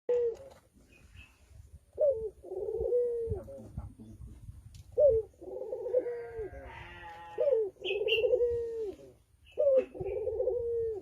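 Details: Male Barbary dove courting a female, giving low, resonant coos repeated about every two and a half seconds. Each coo opens with a sharp rising note and settles into a steady, humming drone. Faint higher chirps appear between the coos.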